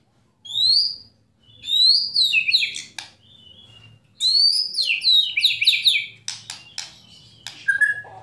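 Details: Murai batu, the white-rumped shama, singing kretekan and tembakan: loud high upslurred notes near 4k in bursts, clicking rattles, then a lower whistle, pauses between phrases.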